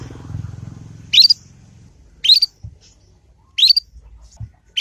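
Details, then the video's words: Juvenile Yorkshire canary learning its ngriwik sound, used as lure song for other canaries. Three high, upward-sweeping chirps come about 1.2 seconds apart, with low rumbling noise and soft knocks between them. "Kenari Manapun Pasti Nyaut dengan pancingan masteran kenari paud ini"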